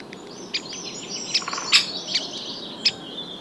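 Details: Great Spotted Woodpecker uttering repeated short, sharp 'kik' notes at uneven intervals, mixed with soft high chirps and twitters from other small birds and a light hiss of background noise.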